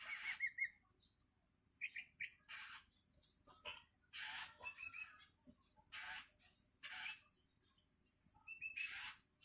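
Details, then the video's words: Long-tailed shrike chick calling its parent while hungry: scattered harsh, raspy screeches and short chattering notes separated by quiet gaps, with a few brief whistles. "Suara anakan cendet"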